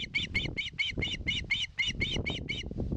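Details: On a live-camera nest in Finland's Satakunta, 2022, an osprey begs for fish in a steady string of about twelve quick, bright, quavering whistles over a constant low rumble.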